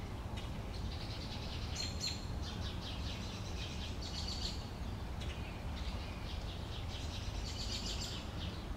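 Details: At a bird feeder, sparrows give a busy run of high chirps and twittering notes, some clustered tightly, others trailing off, continuing through the clip against constant low-pitched outdoor noise.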